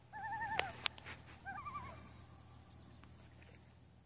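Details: Common loons, seven on Intermediate Lake on August 6; two short wavering laughing bursts early on, broken by sharp loud clicks or knocks, then quiet background hum for the remaining seconds.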